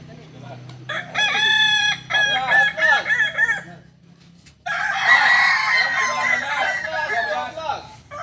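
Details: Kokok Balenggek rooster crow at a group practice in Solok. Two loud bursts of fast, looping, tiered syllables with strong overtones are split by a quieter gap, about three to four notes per second.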